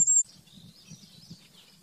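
A common firecrest gives one brief, very high, thin note, then fainter wavering high sounds trail off, with a soft low rumble of background noise.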